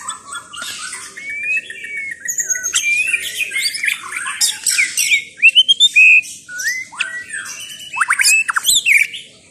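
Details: White-rumped shama singing a varied, rich phrase series: clear whistled slurs, rising and falling notes, interspersed with sharp high chips and buzzy flourishes, phrases flowing almost continuously with brief gaps.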